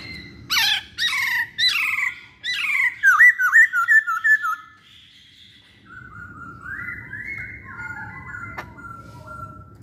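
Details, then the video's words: Masked laughingthrush singing, opening with harsh, broad squawks, then a fast string of twisting whistled notes, followed by fainter smooth whistles over a low background hum. "Burung Poksay Hongkong Gacor"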